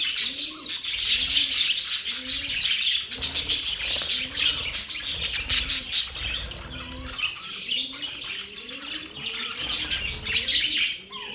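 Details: Happy budgerigars chirping: a dense, continuous chatter of high scratchy chirps and warbles in bursts, with low repeated cooing, like a dove, underneath throughout.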